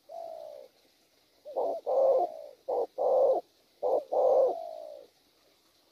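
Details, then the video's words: Spotted dove, a wild-caught bird with a good voice, cooing in a full phrase: a soft drawn-out opening note, then a run of short throaty coos alternating with longer rolled ones. "Bổi tốt tiếng,nước gù quá hay(chim có bài)"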